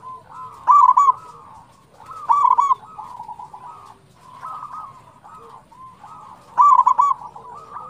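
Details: Zebra dove of the local type singing lively, used as a prompt for other doves: three loud bursts of quick, bubbling staccato coos, spaced about two to three seconds apart, over a steady background of softer cooing.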